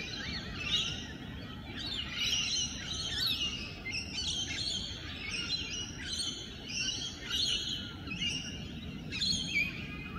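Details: Wild Rainbow Lorikeets courting in their natural habitat on a morning: a steady stream of harsh, screechy chirps and squeaky chatter, bursts coming every second or so over a low rumble of background noise.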